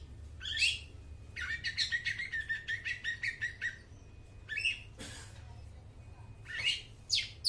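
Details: Long-tailed shrike song used to lure and train mute shrikes: a harsh rasp, then a rapid even series of ticking notes over a steady tone, followed by scattered scratchy bursts and a sharp click.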